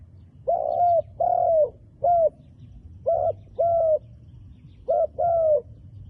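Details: Wild dove with handsome black-speckled plumage, cooing in short hollow phrases, each a quick note followed by a longer drawn coo, repeated three times over about six seconds against a faint low rural hum.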